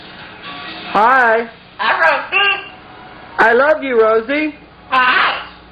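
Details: A pet scarlet macaw named Rosie talks to its owner in a quiet room, in four short, speech-like bursts rising and falling like "hello", "hi" and "bye-bye".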